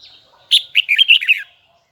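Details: Red-whiskered bulbul of the Huế type, a kept singer, producing one fast rolling phrase of about six bright, twisting whistled notes.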